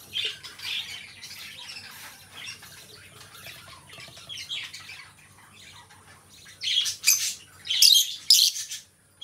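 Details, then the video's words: A pair of pet lovebirds, first giving soft, busy twittering and then several loud, shrill squawks in quick succession toward the end. "2 Hours of Lovebird Sounds: Birds Singing You to Sleep"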